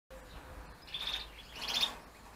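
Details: Gloster canary chicks begging while a hen and cock feed them during breeding; a hiss-like burst of high, rough chirping swells near one second, then a louder cluster follows about a second later.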